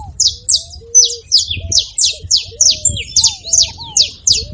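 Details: Rapid run of bright, downward-slurred chirps from a saffron finch, spaced about every third of a second, meant to stir another canary into song; faint low whistled notes drift underneath.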